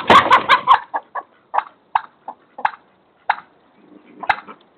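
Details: Domestic turkey, a female, scared by the neighbour's cat alongside chickens and ducks, gives a loud burst of harsh clucks, then sharp single alarm notes every half second or so, other poultry faintly calling.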